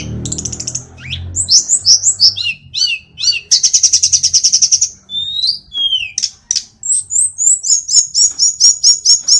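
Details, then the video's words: Tledekan, the mountain sulingan of Indonesia, singing energetically: a long buzzy rattling trill, then varied falling whistles and a rapid series of high chips, with low background hum at the start. "Sulingan gunung / Tledekan gacor"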